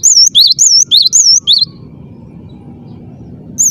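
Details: Cinereous tit in full, insistent song with a clear voice: one quick run of about six high, looping whistled notes, then near silence with faint low background noise and a single note starting again at the end.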